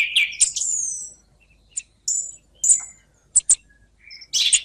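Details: Song thrush song from combined recordings: a rich opening phrase sliding into a high whistle, followed by sparse isolated sharp notes and thin whistles separated by short silences, closing with a loud jumbled burst.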